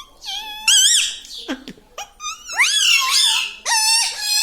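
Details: Indoor talking parrot said to say "Mithu Mithu"; nasal, harmonic, voice-like syllables with swooping and quavering pitch, one short dip in the middle, then long sustained wavering notes.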